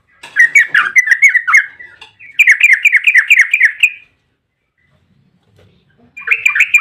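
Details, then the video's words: An excited yellow-vented bulbul in long ropel song, meant as a lure to get other bulbuls calling. Two rapid bursts of rich, bubbling notes are separated by a short silence, and a third burst starts at the end. "trucukan gacor ROPEL PANJANG buat pancingan trucukan agar bunyi"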